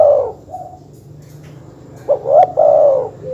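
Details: Dove lure call meant to enrage rival birds: a fading coo at the start, then one full phrase of quick rising notes and a long, smooth coo, over a quiet low hum.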